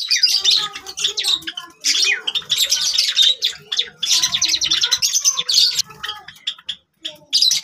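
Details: Java sparrows chattering together: dense overlapping chirps, clicks and short squawks from several birds, nearly continuous with brief breaks.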